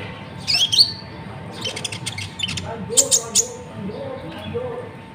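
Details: Konin from Natuna, presented as a model singer for training birds: a couple of sharp rising squeaks, then a scratchy chatter and three bright high ticks, against a faint electrical hum.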